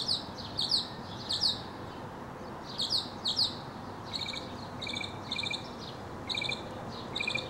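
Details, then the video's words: A mockingbird sings mid-display, leaping up and tumbling as he goes; sharp descending notes repeated in twos and threes, then a switch to a different stuttered, chattering phrase repeated several times. "Mockingbird Song and Dance Routine"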